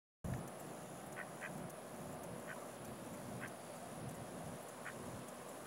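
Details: At Joseph Tribble Park, Savannah, Georgia, short nasal Mallard quacks come at irregular intervals over a steady low rumble, with a thin high insect drone of chirping insects running throughout.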